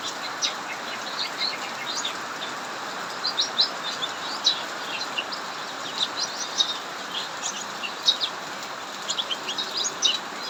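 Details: Cucak mini singing non-stop (ngacor) in an aviary during heavy rain: quick, sharp, high chirps and twittering notes in irregular bursts throughout, over a steady hiss of pouring rain.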